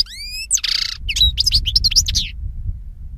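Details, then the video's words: European goldfinch singing: rising whistled slurs, a buzzy wheeze, then a quick cluster of liquid twittering notes, over a steady low background rumble. "Cante De Jilguero"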